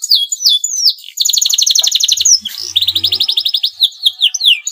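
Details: Male canary in breeding condition, singing to stir rival canaries into song: high descending whistled sweeps, then a long rapid rattling trill, a brief pause, and another fast trill ending in more downslurred notes.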